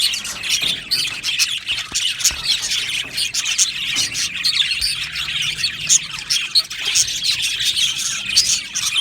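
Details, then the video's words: Colony of Australian budgies in an aviary, singing and chirping: a dense, continuous warble of overlapping high chirps, squeaks and short trills from many birds at once, with no pauses. "Beautiful Budgie singing and chirping sounds"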